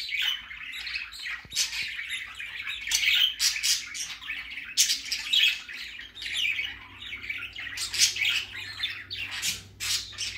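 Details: Baby budgerigar out for the first time, mixing harsh broadband squawks with fast high chirps in an irregular, lively stream, a low hum underneath.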